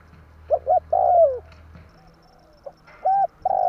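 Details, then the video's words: Spotted dove coos played as a trapping lure: two short notes then a long falling coo, a brief click, then the phrase starting again. "burung tekukur tarik akar/សំលេងលលកធ្នាក់លឺល្អ100%/Suara pancingan derkuku kuk"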